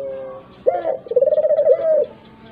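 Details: Single dove coo phrase, used as a lure so other doves, even silent ones, answer: an abrupt rising note followed by a rapid throbbing trill lasting about a second, then it trails away.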